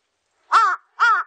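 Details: Two hoarse, drawn-out caws from a large-billed crow, the first longer and slightly wavering, the second following after a short pause; no other sounds.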